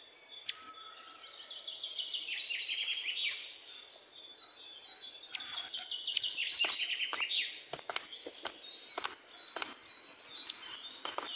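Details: Great tit (Parus major), song.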